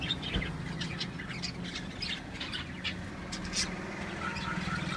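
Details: Caged lovebirds giving a scatter of short, harsh squawks and chirps, several overlapping and irregular, over a steady low mechanical hum.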